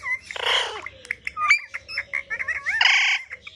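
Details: Talking pet parrot playing with a mobile phone, opening with a loud rasping squawk, then quick chattered whistles and squeaks, and a second harsh squawk near the end.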